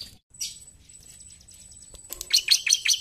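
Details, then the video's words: A bar-winged prinia gives a quick burst of high, sharp chirping notes, about three per second, in lively full song; a thin, steady high whine is heard faintly before the song. "CIBLEK GACOR NARUNG!"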